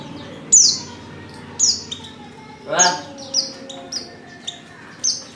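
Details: Female Oriental white-eye lure call to provoke singing in males: high falling notes repeated irregularly, interrupted midway by a brief lower sound, with softer chips between.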